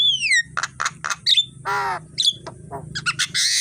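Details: Javan myna in the morning, singing for training birds: a falling whistle, clipped harsh notes, a drawn-out nasal squawk, short whistles and a closing burst of buzzy chatter, with low background rumble.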